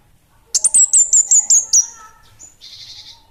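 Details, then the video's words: Orange-headed thrush ('Bunga Api Kecil' type) singing energetically: eight fast, shrill high whistles in a steady run, then a thin falling tail, a brief high note and a short buzzy rattle. "Kemade Bunga Api Kecil'' Suara Gacor!!!"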